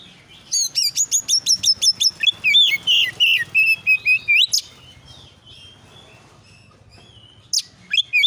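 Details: Oriental magpie-robin lure song meant to provoke rival birds into answering: a rapid run of sharp, high whistled notes gives way to varied slurred whistles, then a pause and a couple of brief phrases, over a low steady hum.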